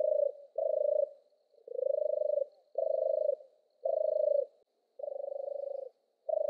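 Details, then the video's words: Repeated throaty purring from a European turtle dove, seven rolling notes of similar pitch, some with a rising start, delivered in an uneven rhythm against silence. "Suara burung merpati kura-kura, european turtle dove bird"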